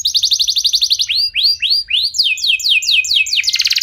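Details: Canary singing as a prompt to get other canaries singing: a rapid rattling trill, then slower arched whistled notes repeated about four per second, then quicker descending sweeps and a dense buzzy ending.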